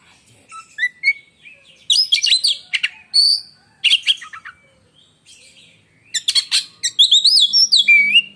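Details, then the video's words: A contest-kept oriental magpie-robin delivering a shrill, piercing song likened to lightning: dense bursts of harsh chattering mixed with loud rising and falling whistles, ending in a clear downward-sweeping whistle. "si raja gantangan beraksi lagi dg suara menyambar"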